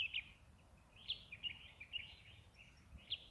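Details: Caged European goldfinch, kept for eight years, singing faint short twittering phrases of high chirps and trills with pauses, over low background noise.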